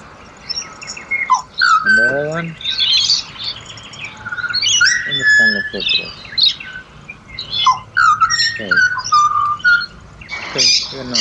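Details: Pied butcherbird singing in Australia: clear, fluty whistled notes that slide between pitches in short phrases, mixed with sharper chirps and brief bursts of human voices nearby.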